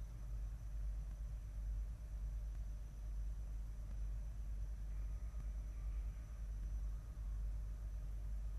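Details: Steady low traffic rumble and hum from an urban setting, with a faint constant tone and no clear animal calls.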